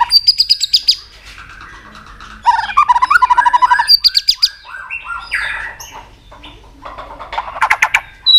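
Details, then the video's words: Competitive song of a white-rumped shama stirred up to fight rivals: loud repeated high notes, bursts of rapid chattering trills, varied slurred phrases and harsh sharp notes, switching voice often. "kích lửa cho chòe lửa căng lửa. chòe lửa tạch đập liên tục"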